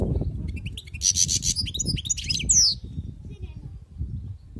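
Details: Wild-caught European goldfinch delivering a dense burst of high, liquid twitters and trills ending in a sharp descending note, then falling quiet above steady low rumble.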